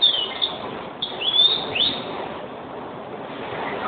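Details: European greenfinch singing: a few thin high whistled notes and short rising slurs near the top of the range, spaced about half a second apart, over steady background hiss.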